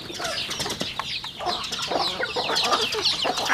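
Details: Rural home chickens eating, heard as a quieter mix of high peeping chatter and irregular pecking clicks, roughly two taps per second.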